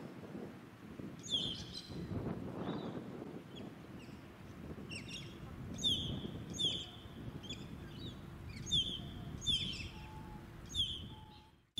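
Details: Pied butcherbird (Cracticus nigrogularis) sings in a suburban park at Scarborough, Queensland, in August 2017: clear, high, piping notes with slurred tails in short phrases about once a second, over a steady rumble of wind.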